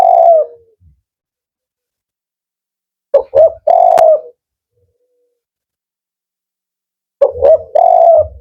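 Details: Male spotted dove of the 'Kuk 4' style, described as firm and rhythmic: low mellow coos. A single coo opens, then a three-part phrase of two short notes and a longer drawn coo, repeated after a pause.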